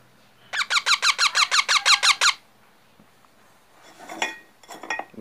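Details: Parrot chick letting out a steady series of ten harsh, buzzy squawks at about three a second, then faint human voices and rustling in a small room.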